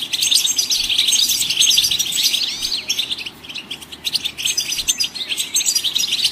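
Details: Chorus of goldfinch song, described as stimulating other songbirds to sing. Thick, high-pitched twittering of overlapping chirps runs throughout, with quick rising and falling slurs near the middle and a slight dip in loudness toward the end.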